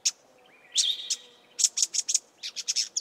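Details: Two Karoo scrub robins give scratchy alarm calls: a quick run of harsh, high notes, several per second, with one thin rising whistle early on.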